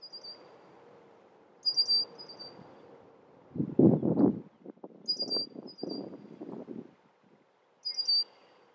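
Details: A male red-winged blackbird warning of intruders near its nesting area gives sharp, high, clipped notes in three brief bursts a few seconds apart; low rumbling noise fills the middle.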